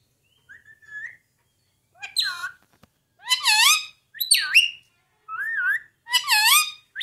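Ring-necked parakeet talking: six short, raspy, speech-like phrases with wavering, whistled pitch over seven seconds, nothing else heard.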